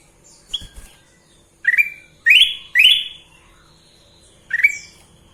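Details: Kutilang emas, the sooty-headed bulbul, in busy gacor song: short bubbly whistled phrases that rise sharply, repeated in bursts with pauses of about a second.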